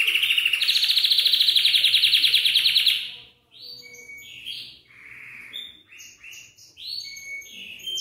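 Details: Belgian canary singing to prompt young birds to sing: a long, loud, rapidly pulsed trill for about three seconds, then softer scattered chirps and short whistled notes.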